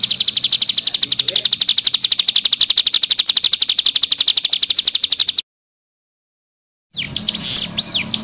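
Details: Fast piercing nembak trill from a cigun, used as tutor song for young birds, holds steady for about five seconds, then cuts to silence before a few looping whistled notes resume.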